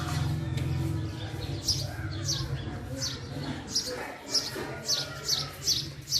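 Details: Call of a male house sparrow: a string of short, high chirps that quicken toward the end, with a steady low hum beneath.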